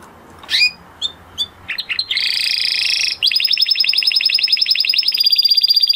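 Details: Male canary in breeding condition singing: a few short chirps and quick notes, then sustained high rolling trills that change tempo, with rapid pulsed phrases repeating many times per second through the final seconds.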